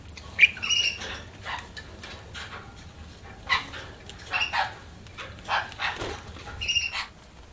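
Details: Budgies chirping: scattered short squawky chirps and a few thin whistled notes spread irregularly over several seconds, separated by quiet gaps.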